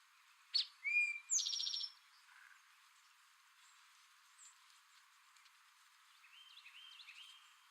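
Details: Male Eastern towhee singing its "drink your tea" song: a sharp high note, a lower clear whistled note, then a fast buzzy trill, all within about 1.5 seconds. Faint chirps from other birds follow.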